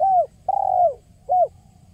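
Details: Spotted dove (tekukur) giving its kuk 1 song, used as a lure: a short descending coo, a long slightly wavering coo, then another brief falling coo, clear against a quiet background.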